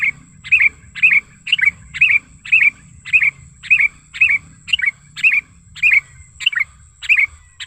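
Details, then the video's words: Sooty-headed bulbul lure call, presented as natural wild recording: a steady series of bright, liquid, slurred chirps repeated about twice per second for nearly eight seconds, each note dropping slightly, over a faint high constant tone. "Suara Pikat Kutilang Gacor ASLI ALAM Lanjut NGGARUDA Ampuh untuk Masteran Kutilang & Pikat Kutilang"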